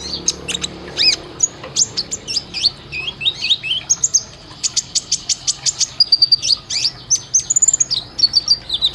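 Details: Sunbird song used as a training recording for caged birds: very high, sharp chirps and thin whistled slurs in rapid irregular bursts, some quick trilled runs, with a faint low hum beneath.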